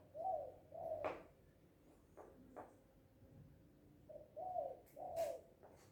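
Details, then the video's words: Spotted dove, locally called Anduhur Bolon, happy and calling loudly: a pair of soft, mellow two-part coos, a pause with faint knocks, then another pair of similar hooting coos. "Suara Burung Tekukur ini Mantap Kali Bah"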